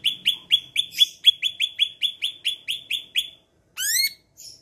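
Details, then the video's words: Medan-type cucak ijo in full voice on a training recording with mimicry of sparrows and other birds: a fast run of about fifteen clipped chirps, roughly four per second, then one steeply rising whistle and a short buzzy note. "Cucak Ijo Medan gacor isian burung greja"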